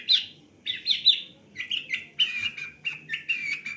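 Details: Long-tailed shrike with a varied song; a run of short scratchy, chattering notes, some buzzy and some whistled, delivered in quick succession.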